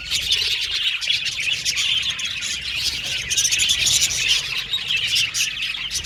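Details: Flock of budgies calling, chirps used to find companionship when lonely: nonstop overlapping twittering and squeaky warbles, a busy bright chatter that swells slightly toward the middle.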